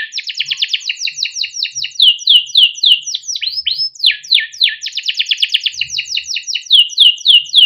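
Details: Captive young canary singing, a long chirping, rolling song meant as a training model for young birds; quick runs of slurred notes alternate with rising sweeps and tight rapid trills, loud and continuous throughout.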